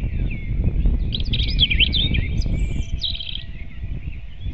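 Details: Dawn song of a robin, recorded 8 April 2016 at 05:48: one quick phrase of tinkling, rising and falling high notes, with a continuous chorus of distant birds and low rumbling noise underneath.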